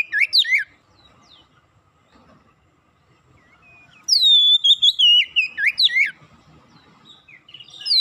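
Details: Oriental magpie-robin song meant to prompt a non-singing magpie-robin; a short whistled burst, a few quiet seconds with faint distant notes, then a loud two-second run of high, falling, warbled whistles.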